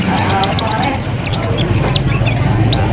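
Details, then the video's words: Juvenile canaries practising ngeriwik twitters, used to prompt other young canaries to respond: rapid runs of sharp descending chirps, then scattered thin notes and a rising whistle, over constant low background noise. "KENARI PAUD BELAJAR BUNYI NGERIWIK"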